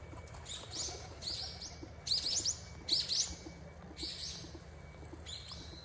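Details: Common kingfisher on the Zenpukuji River, filmed with a smartphone and telephoto lens: short, thin, high whistled notes in irregular bursts, several rising quickly, over a steady low hum of background noise.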